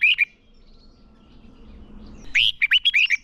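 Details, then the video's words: Decoy red-whiskered bulbul giving fighting song used for luring wild birds and training contest birds: a short whistled fragment, a quiet pause, then a strong burst of five or six rich, swooping whistles. "Chào mào mồi hót đấu gọi bổi căng lửa, luyện chào mào sổ giọng hót đấu căng"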